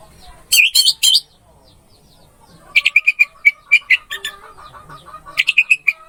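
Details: Orange-headed thrush masteran song for rousing a bird that has stopped singing: a short loud trio of bright notes, a pause, then a long run of crisp, evenly pitched chipping notes repeated quickly, ending in a louder cluster.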